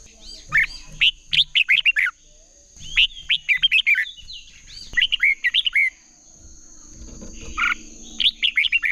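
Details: Red-whiskered bulbuls singing against each other in a training recording: clusters of lively, looping whistled notes, each phrase of four or five quick syllables, separated by short pauses, over a faint steady hiss.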